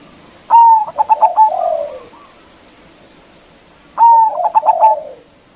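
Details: Local zebra dove with a loud voice calling to provoke rivals: two phrases of a long clear note and quick staccato pulses, each trailed by a lower, falling, purring coo.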